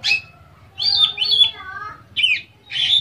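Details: Captive Oriental magpie-robin giving full varied song meant to spur other magpie-robins into singing: high whistles, slurred notes and harsh squawky bursts in four phrases over three seconds, faint low hum behind.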